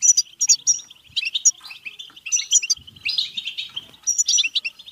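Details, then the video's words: European goldfinch betbeta song aimed at encouraging song and mating: quick tinkling notes and sharp ringing chirps open the phrase, followed by dense buzzy twitter and renewed bright bursts near the end. "لتحفيز الحسون على التغريد و التزاوج و الهيجان"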